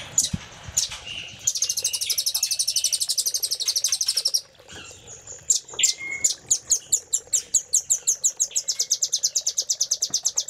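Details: Master song of the velvet-fronted nuthatch for tutoring caged songbirds: a dense rapid high trill for three seconds, a short pause, then a steadier run of loud, clipped, evenly spaced notes.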